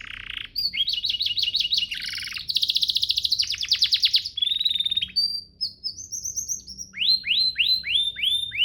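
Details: A canary sings master song used to train canaries: a buzzy opening note, a fast chattering trill, high whistled phrases stepping upward, then a series of swooping rising-falling notes.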